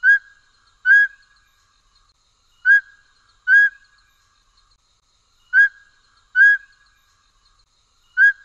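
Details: A Mountain Scops Owl of the Taiwan subspecies Otus spilocephalus hambroecki gives clear, mid-pitched whistled notes in pairs, the two notes less than a second apart, with each pair repeated about every three seconds.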